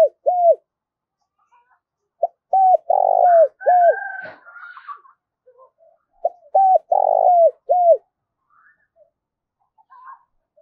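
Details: Decoy Spotted Dove calling to lure wild doves: two phrases of repeated low cooing notes, each a short rising-falling coo run together, separated by a pause, with a brief scratchy noise between.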